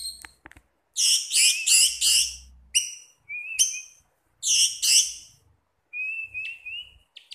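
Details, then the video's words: Pet orange-headed thrush singing: loud harsh rasping bursts repeated in a quick series, sharp stacked high notes, then thin wavering whistles toward the end; faint low hum underneath. "Burung Punglor / Anis Merah teler nyantuy mawon masehhh"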